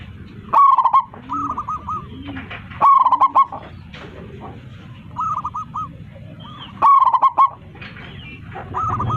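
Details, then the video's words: Local zebra dove with a big voice, singing to call its flock: loud rolling staccato coo phrases about every three seconds, each opening sharply, with softer, looser coo runs between them and a low background hum. "PERKUTUT LOKAL GACOR 27 MEMANGGIL KAWANANNYA MANGGUNG suara besar"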